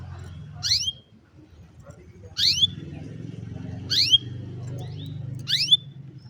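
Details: Canary, phone recording, repeating a single upswept whistled call with a short flat tail, four times at intervals of about one and a half seconds, with low background rumble.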